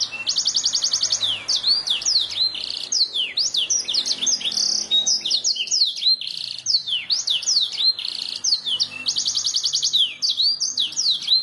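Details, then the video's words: Canary song for training birds to sing fast: opens with a rapid repeated trill, then a long flowing sequence of high falling whistles, chirps and buzzy notes, with another quick trill near the end. "Suara burung kenari masteran ,langsung nyaut"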